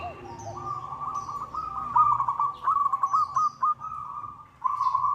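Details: Local zebra dove answering a rival, used as a lure: a sustained, quavering cooing trill with stuttering breaks, then a fresh trill at the end. Faint high bird notes are heard behind it.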